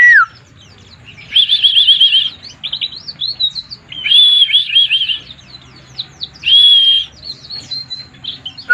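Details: White-eye in 'mabuk' (drunk) singing: sustained trilled whistles near the high register in three loud bursts of about one second each, linked by quick rising and falling chirps and twittering notes, with a faint low hum underneath.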